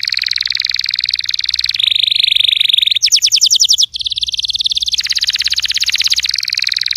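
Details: Canary song played to prompt a silent canary to start singing: rapid trills of repeated buzzy notes, a higher sweeping trill section, then fast rolling rattles, continuous and loud throughout.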